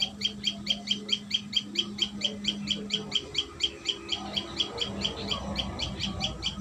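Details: Series of sharp, high chirps, several per second, from a common tailorbird at its nest, with a low steady hum behind it.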